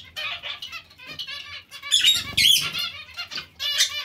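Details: Loud nasal, trumpet-like chirps from a zebra finch colony kept together with Bengalese finches, calls crowding irregularly with a couple of thin whistled squeaks and faint flapping.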